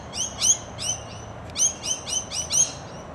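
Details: Rainbow lorikeets in suburban Perth, Western Australia, give shrill, rasping screeches in quick bursts, about two a second, high-pitched and harsh, with little else heard behind them.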